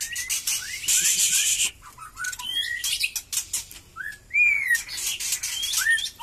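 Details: Post-moult white-rumped shama, Batu Kurau strain, gives scattered upslurred whistles between loud raspy buzzing bursts, ending with a bright, long descending whistle and a few quick chirps.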